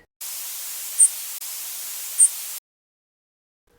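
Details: Bursts of hissing static with two brief high beeps, then silence; no animal sound.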